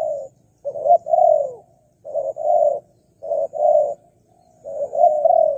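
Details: Spotted dove calling, played as a lure for wild doves. Three phrases, each a short coo followed by a longer, rolling coo that slides downward, separated by brief pauses, over a faint low hum.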